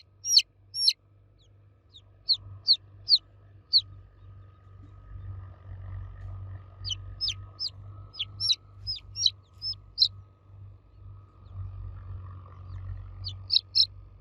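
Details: Loud cheeping of baby chicks calling for the mother hen: bursts of sharp, high, descending peeps in clusters, with short pauses between groups, over a faint steady low hum.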